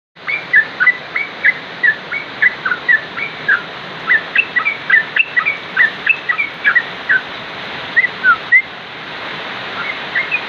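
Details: Sooty-headed bulbul (trucuk) singing: short, clear whistled notes, each sliding up or down, repeated about twice a second in a steady run, over a constant hiss of background noise.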